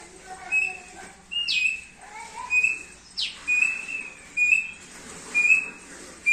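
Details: Thick-billed heleia, recorded as a training master, giving spaced whistled notes about once a second, some with sharp high upward sweeps, over a quiet hiss.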